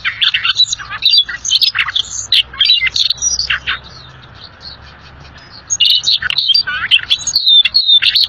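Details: Energetic, chattering song of a rare bird: dense runs of shrill chirps, buzzy trills and thin whistles, then a quiet gap of about two seconds before the rapid twittering resumes.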